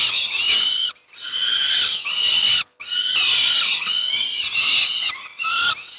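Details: Fledgling peregrine falcons in Moszna, Pruszków, Poland, being given breakfast, utter strident, grating begging wails in extended bursts with two brief gaps.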